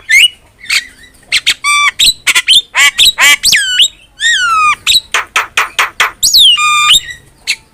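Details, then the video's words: Energetic Javan myna song recorded as training material for songbirds: rich mixed chatter of harsh squawks, downslurred whistles and sharp clicks, delivered in rapid irregular bursts. "MASTERAN JALAK KEBO GACOR"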